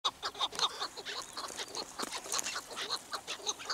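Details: Chukar partridge calling: a fast run of clucking, chopped notes repeated nearly twice a second in an uneven rhythm, with sharper higher accents over the steady chatter.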